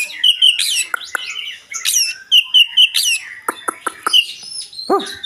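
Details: Dense, varied white-rumped shama song with abundant fill: rippling whistled phrases followed by a string of crisp, rapidly repeated clicking chips and a few deeper fluty notes near the end.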